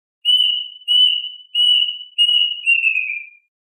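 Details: Plaintive Cuckoo, singing to call its flock, gives five bright whistled notes in a row, steady at first, the last two sliding downward, clean and without other noise.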